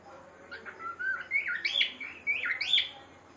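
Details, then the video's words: A pet cockatiel sings a warbling run of whistles that climb and dip, with rising slurred notes near the end, over a faint indoor hum. "Cocktail bird singing so well"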